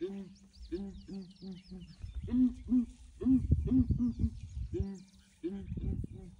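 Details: Southern ground hornbills booming one morning while elephants from a breeding herd investigate; runs of deep hollow hoots overlap with low rumbling, thumping noises and faint high bird calls.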